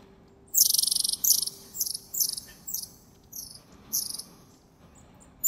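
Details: Wild long-tailed tits in January near the Zvenigorod Biological Station, Moscow Region: a run of short, very high, thin buzzy calls in quick bursts, several in a row, then a pause and a final high note.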